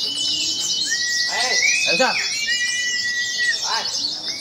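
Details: Crowd of oriental white-eyes at a singing contest, caged birds pouring out a thick, shimmering high-pitched twitter, crossed by long level whistles and short arched notes, with people talking in the background.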